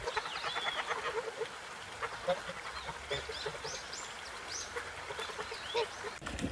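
Ducks quacking in a busy series of short, nasal, harsh calls that overlap one another.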